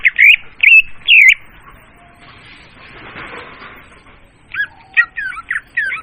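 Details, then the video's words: Leafbird lure sound for attracting birds: three loud looping whistled phrases, a stretch of soft hissing noise, then a run of quick curling whistled notes. "suara pemikat burung murai daun"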